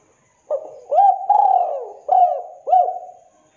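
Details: Spotted dove in the 'kuk 2' song style, a master recording for training birds and luring. One phrase of hollow coos: a short opening note, a long drawn coo that slides down, then two clipped rising-falling notes.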